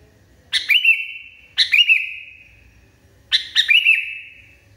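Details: Raging sooty-headed bulbul repeating a phrase of three rapid chips and a long, even whistle that trails off, three times in under five seconds, with a soft low rumble underneath.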